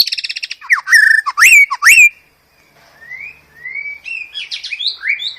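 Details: Varied master song of the white-rumped shama for cage-bird training: a fast buzzy rattle, then strong swooping whistles, a brief hush, and a string of rising, slurred whistles.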